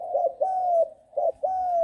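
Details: Six-month-old trained spotted dove, Bang Kaeo Tai line, uttering two low hollow coos, each a short clipped note followed by a longer drawn-out tone that slides slightly downward.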